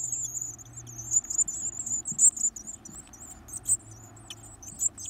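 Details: Greedy varied tit chicks, stuffing themselves with food, keep up a thin, very high, wavering stream of begging calls, with brief scratchy bursts and a faint low hum beneath.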